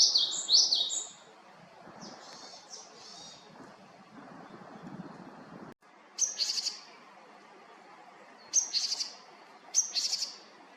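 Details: Japanese tit from Haenam giving a mix of high notes: a quick two-note phrase, a few softer rattling notes, then separated short clusters of high, slightly buzzy call notes with quiet gaps between.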